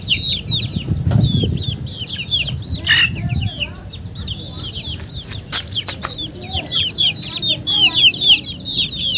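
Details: Chickens heard as a loose chorus of high, falling peeps, roughly four per second, with some low rumbling handling noise and a few sharp clicks in the middle.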